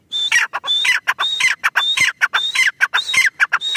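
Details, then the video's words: Grey francolin, known locally as teetar, gives an unbroken run of loud, grating, rhythmic notes, each with a short whistled edge, at a steady quick pace of nearly two per second. "Teetar ki awaz | Teetar voice | gray francolin teetar sound"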